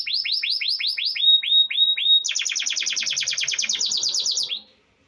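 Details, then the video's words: Copper canary, Nevşehir, Cappadocia, Turkey: repeated swooping whistled notes, slowing into longer glides, then a fast dense high trill that ends abruptly. "bakır kanarya"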